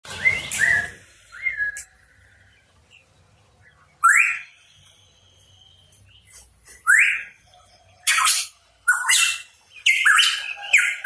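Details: Hooded pitohui, called cucak rawa papua, singing actively: scattered rising whistled notes near mid pitch mixed with short harsh, hissy bursts, separated by quiet gaps.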